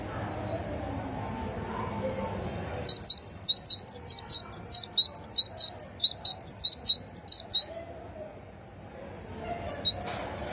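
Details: Great tit singing: about five seconds of rapid, high, sharp two-note phrases repeated steadily in an even rhythm, then a brief pause and two more notes; low background hum throughout.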